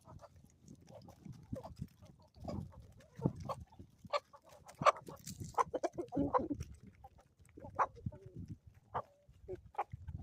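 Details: Homestead chickens in the Ozarks at morning, uttering short sharp clucks and brief squawks at uneven intervals, with rustling and faint scratching underneath.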